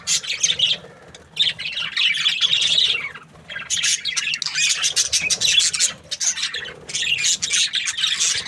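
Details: Budgerigars in the breeding season giving happy chirps: long runs of warbled, chattering notes broken by short quiet gaps, the flock restarting each time with rapid buzzy squeaks and high twitters.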